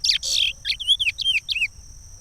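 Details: Pará regional song of a Chestnut-bellied seed finch, used for teaching chicks: dense buzzy opening notes, then a series of clear whistled slurs rising and dipping in quick succession, over a faint steady high tone.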